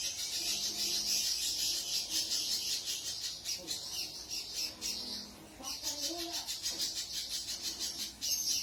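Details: Caged spiderhunter in persistent, vigorous song: rapid, dense high chattering and buzzy trills, pulsing about three times a second with brief pauses, plus faint lower whistled notes and slight background murmur.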